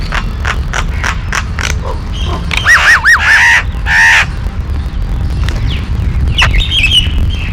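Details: Yellow-billed babbler, called Kariyila Pakshi, opening with a string of sharp harsh notes, then loud wavering squeals and a drawn-out squeaky call, with fainter chirps after, over low background rumble.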